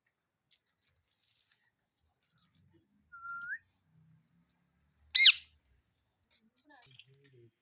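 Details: Indian ringneck parakeet calling: a short, steady whistle that rises at its end, then after a pause one loud, harsh squawk with a sharp arched shape, followed by faint soft clicks in an otherwise quiet setting.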